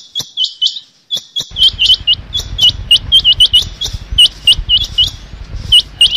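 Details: Rain quail calling, a sound used for hunting: rapid high chirped notes repeated in pairs and triplets, first with sharp clicks in silence, then over a low rumbling background noise.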